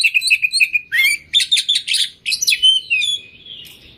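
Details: Kacer (oriental magpie-robin) with a full-isian song: a fast string of repeated chip notes, then buzzy rattling bursts and a final clear drawn-out whistle fading away.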